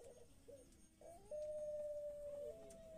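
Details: A Barbary dove (puter pelung) giving its long call: a few soft, low coos, then one long, steady, level note held for over a second before it dips and trails off, with quiet room noise behind.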